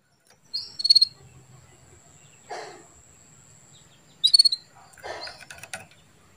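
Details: Female canary calling, used to stimulate a male into breeding condition; two short bursts of rapid high twittered notes about three and a half seconds apart, with softer rustling sounds between.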